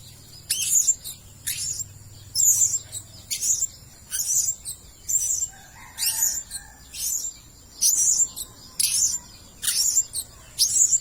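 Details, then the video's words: Blue-crowned hanging parrot, a decoy recording for luring birds, giving a steady series of very high, sharp, squeaky chirps about once a second, each a brief bright burst, over light background hiss. "Suara-Suara Denak Pemikat Burung Serindit Dada Merah"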